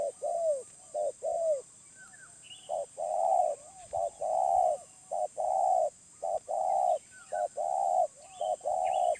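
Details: Low, soft cooing of a wild spotted dove with a medium voice. Short and long coos run in a dense series, with a few faint high chirps of small birds behind.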